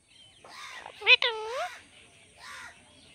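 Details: Pet parrot talking: short nasal, speech-like syllables with swooping harmonic tones, a loud burst in the middle and a softer phrase at the end, in a quiet room.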